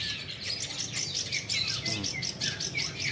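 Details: Long-tailed shrikes, recorded as training for a songbird singing contest, sing dense, high chattering phrases of sharp chirps and squeaks, bursting about three times a second, with other birds overlapping in the background.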